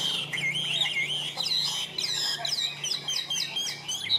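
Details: Caged Chinese hwamei with yellow legs, described as strong at singing and calling, pouring out a loud, varied run of looping whistled phrases that rise and fall, with a steady low hum underneath.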